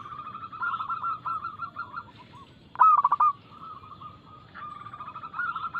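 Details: Zebra dove of a local strain singing with quick notes as lure song for caged doves. Soft rolling coos lead into one loud, rapid pulsed phrase, then quieter cooing resumes.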